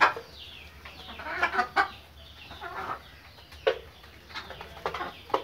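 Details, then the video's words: Fayoumi chickens from Pakistan, an egg-laying breed, give irregular clucks and short throaty calls, a few louder sharp notes standing out over a steady murmur of the flock. "ফাউমি মুরগি"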